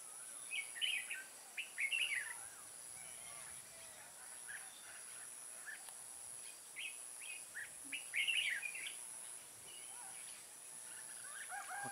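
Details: Red-whiskered bulbul trapping at Kim Bôi, Hòa Bình, Vietnam, 14 May 2018, with a wild bird caught: repeated bursts of rich chattering whistles, several strong phrases among softer notes, over a constant shrill insect background.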